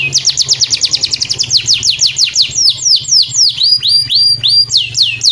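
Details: Canary song played daily as a model to encourage other birds to sing: a fast, steady trill of high repeated notes gives way to slower, clear whistled sweeps falling in pitch, with a faint low hum beneath.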